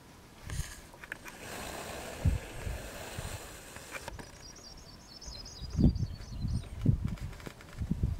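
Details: Sprague's pipit west of Pine Cree Regional Park, Saskatchewan, Canada, June 20, 2017: a thin, high jingle of about ten quick repeated notes sliding steadily downward, over wind buffeting and low thumps.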